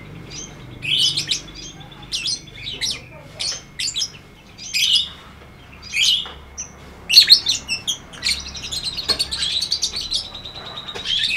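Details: Lovebird singing in the ngetik ngekek style: separate harsh, buzzy chirp bursts about every second at first, then merging into a continuous rapid high chatter toward the end.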